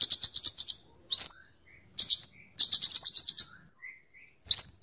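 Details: Scarlet-headed flowerpecker (kemade, cabe cabean) singing in a lively way for tutoring and luring: quick trains of high ticks alternate with loud upslurred whistles, with a few faint soft lower notes between phrases.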